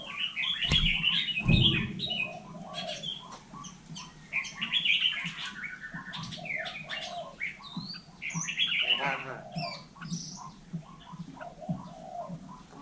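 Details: Hill myna in Vietnam imitating people talking: long chattering sequence of clipped syllables, squawks and whistled glides, with two sharp knocks near the start, several louder bursts and brief pauses throughout.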